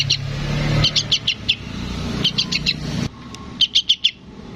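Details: Sooty-headed bulbul youngster calling its parent in quick bursts of four or five high chirps, partly masked by a passing vehicle's low engine noise.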